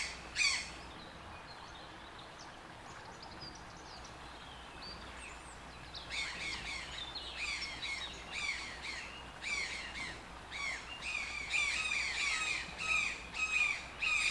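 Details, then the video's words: Toucan squawks after a quiet opening of several seconds with only faint chirps and one early harsh note. From midway, rasping calls come in quick, uneven runs that grow denser and louder toward the end. "TOUCAN SOUNDS - Toucan Sound Effect"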